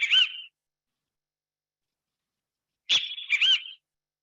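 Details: A Great Kiskadee, a tropical bird that says its name, gives a loud, harsh, ringing call: a short burst, then after a pause of over two seconds a longer three-part "kis-ka-dee".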